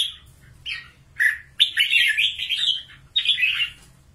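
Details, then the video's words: Red-whiskered bulbul, a wild bird trapped for fighting in Cao Bang, Vietnam, gives loud, chattering, slurred phrases: a short note, then a long run of bright warbling, then another burst after a pause. "CHÀO MÀO BẪY ĐẤU"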